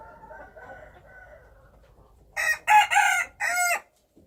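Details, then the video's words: A wild chicken rooster crows loudly: three harsh, broken syllables packed into about one and a half seconds, after a stretch of faint background clucking. "Noob qaib qus Qaib dib qua zoo - wild chickens"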